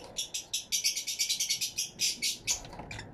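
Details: Fischer's lovebirds in an aviary, recorded with two external microphones: a rapid run of sharp, high, screechy chirps, about a dozen in quick succession, dense and bright, then a few spaced squeaks trailing off at the end.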